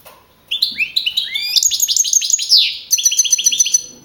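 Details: Contest-winning young male European goldfinch of field type, Navalcarnero, Community of Madrid, April 2012: a continuous fast tinkling warble of sweeping slurred notes, ending in an evenly repeated run of bright chirps.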